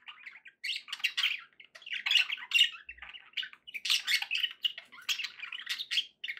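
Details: Happy pet budgies give lively warbled chatter, rasping chirps and squeaks tumbling in short bursts with small pauses between.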